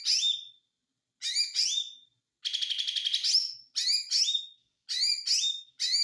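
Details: White-eye singing clusters of piercing, harmonic chirps with brief gaps, broken by a fast, even buzzy trill lasting over a second, followed by more paired sharp notes; quiet background.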